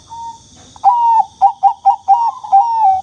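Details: Zebra dove kept as a cage bird, known as Bangkok perkutut, played to prompt birds that rarely sing; low cooing notes around one pitch, a drawn-out coo followed by a run of short rhythmic coos and a final long coo.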